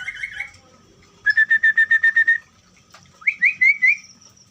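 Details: Orange-headed thrush kept in a colony breeding cage. A short burst of whistles is followed by a rapid series of about nine clear, even whistled notes. After a pause comes a rising, looping whistled phrase.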